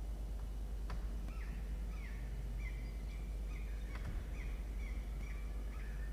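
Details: Young peregrine falcons in a campus nest box at Orange, NSW, Australia, recorded 17 November 2021 during squabbling and biting; a run of short, shrill, slightly descending calls repeated roughly every half second, with a constant low electrical hum and occasional clicks.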